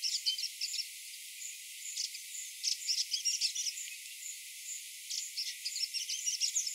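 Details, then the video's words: Grey-breasted prinia singing in the morning: high, thin, rapid chirps and trills in short irregular bursts, with softer overlapping high twitters throughout. "Grey Breasted Prinia Singing"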